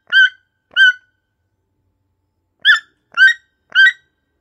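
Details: Repeated croaking yelps from a toucan, two quick notes, a gap of over a second and a half, then three more in close succession, each hoarse and harmonic-rich, against a silent background.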